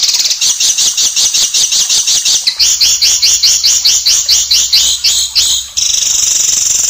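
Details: Oriental magpie-robin, a training recording for songbirds with fast, dense and harsh shooting phrases: rapid runs of sharp high chirps repeated about three times a second, shifting into a quicker trill midway, with a steady low hum underneath.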